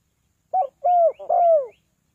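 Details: Spotted dove calling to lure birds down, a three-kuk phrase: a short clipped first coo, then two longer, mellow coos that each slide downward, clean with no background.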